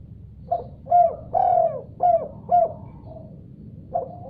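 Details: Spotted dove answering after hearing a particular sound: a run of five husky coos, the second longest and loudest, a soft fading note, then a final coo, with a low hum behind.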